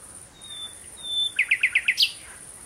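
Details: Common nightingale singing at sunset in June 2017: two thin drawn-out whistles, then five loud rapid identical notes and a sharp higher final note, over a steady high insect-like whine.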